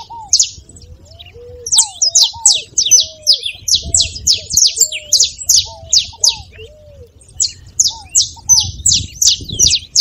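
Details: A saffron finch sings fast strings of piercing, downward-sweeping chips with brief gaps, intended to stimulate another canary to sing; softer lower whistled notes from a second bird recur underneath.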